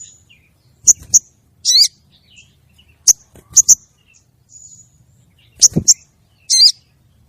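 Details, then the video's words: Female crested jay calling to the male, used as a lure call: sharp high clicks in quick pairs, each group followed by a short harsh rasping burst, repeating about every two to three seconds in quiet surroundings. "suara burung sogon betina manggil jantan"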